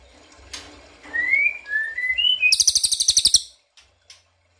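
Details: Ashy tailorbird lure call meant to make other birds answer: several rising whistled notes, then a fast dry trill of high pulses about a second long, followed by two faint short ticks.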